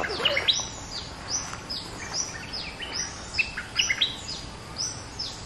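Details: A caged bulbul, two months in the cage, sings bright, bubbly whistled phrases, each note sliding sharply downward, in quick bursts about every half second, over faint background hiss.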